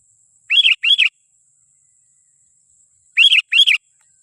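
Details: Sooty-headed bulbul lure call for attracting wild bulbuls: paired loud, rich notes that rise then fall, given twice about two and a half seconds apart over a steady faint high hiss.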